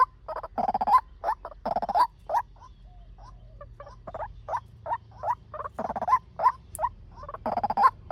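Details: Fast lure call of a male white-breasted waterhen, used for bird training or trapping with a speaker: harsh, buzzy croaking bursts alternating with short rising notes, with a quieter gap in the middle.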